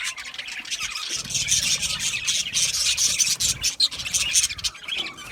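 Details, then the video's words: Budgerigars chattering together in a continuous dense, scratchy high-pitched warble with rapid clicks and squeaks, steady throughout, over a faint low hum. "Cute Budgies chirping Sounds | Budgies relaxing Sounds"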